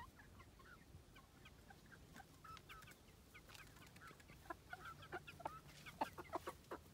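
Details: Cuckoo Marans chicken, a shy, calm commercial hybrid of the French-origin breed, with short soft clucks scattered throughout. They grow denser and louder toward the end, over a low background hum.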